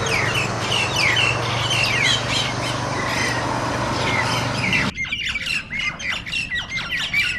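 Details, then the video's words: Nias starlings (jalak nias) fighting, several birds ganging up; after steady background hiss, a burst of harsh, rapid squawks and chattering notes crowds in, overlapping and irregular. "Burung Jalak Tarung Burung Tarung Kroyokan-Burung Tarung"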